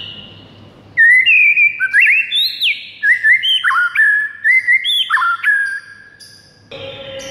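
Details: White-rumped shama morning training song: a fast run of bright whistled phrases, each one climbing and then dropping sharply, repeated in quick succession for about five seconds. A lower buzzy note follows at the end.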